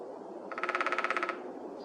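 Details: A male downy woodpecker testing a tree in April in Edmonton's Whitemud Creek Valley hammers a rapid, even burst of about a dozen sharp taps in under a second; the tree does not resonate well. Quiet background.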